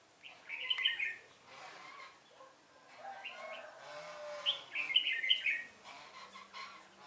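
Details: A red-whiskered bulbul working as a trapping lure, recorded 1 November 2017, gives two clear rounds of rapid, sweet, slurred notes several seconds apart, with weaker chirps and soft background noise between.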